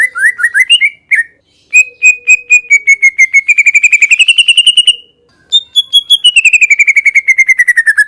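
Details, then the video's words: Greater green leafbird in song: a few wavering whistles, then long runs of rapid, evenly repeated bright notes that slowly rise, a brief pause, and another fast descending trill; clean, without background noise. "burung cucak ijo"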